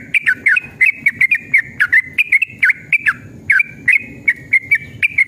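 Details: Yellow-vented bulbul singing an excited, long rolling song meant to provoke other bulbuls into answering: a continuous stream of clear, bright whistled notes, some dipping or hooked, delivered several per second with barely a pause.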